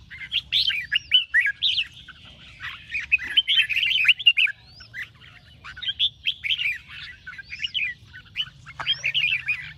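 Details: Competition-trained red-whiskered bulbul in morning 'ché' song: lively chattering phrases of bright, bending notes with a few high rising slurs, pausing near the middle before another burst.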